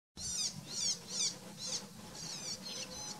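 Isabelline shrike giving a run of harsh, grating high notes, about two or three a second, over a faint low hum.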